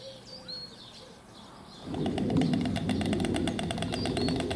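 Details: White storks in a meadow at Vogelpark Marlow, Baltic coast, 2018, building nests on the ground; bill clattering to greet partners and guard nests, a fast regular wooden rattle starting midway, with small birds twittering and background rumble.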